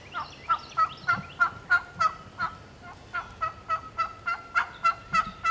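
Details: A lone wild turkey hen, perhaps already nesting, gives a fast series of sharp, nasal yelps and clucks, about three a second, in the Georgia turkey woods while answering a caller.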